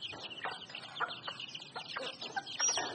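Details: Wild chicken calling: a rapid, overlapping stream of short high chirps and soft clucks, several birds at once, over steady background hiss.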